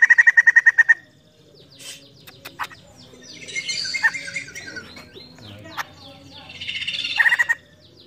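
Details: White-crested laughingthrush (poksay jambul), a female, chirping: a fast burst of evenly spaced chirps, a pause with scattered harsher notes and rustling, then a noisy chattering passage ending in another short chirp series.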